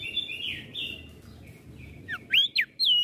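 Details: Crested white-eye of Flores, singing to stir up other birds: soft twittering warbles at first, then three or four loud, high slurred whistles in quick succession near the end.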